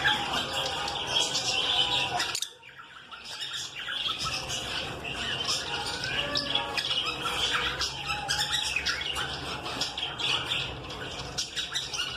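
A flock of lovebirds keeps up dense, shrill chattering: sharp squeaks and chirps overlapping several times a second, with a brief break partway through.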